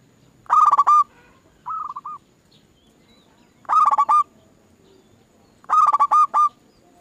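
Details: Zebra dove singing on a lure recording to encourage other doves to sing: three loud, throaty bursts of quick rolling notes, with a softer four-note phrase between the first two.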